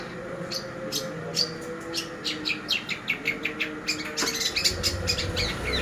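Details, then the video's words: Long-tailed shrike lure song for training birds: a fast, rhythmic run of sharp high chirps, building into a dense chatter of repeated notes over a low background hum. "Pancingan Burung Cendet Pastol"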